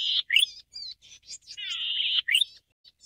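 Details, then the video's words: Singing golden-headed cisticola of subspecies volitans: a short buzz, a bright rising note, scattered thin chips, then a long rasping buzz ending in a sharp upward flick. "黃頭扇尾鶯/Golden-headed Cisticola"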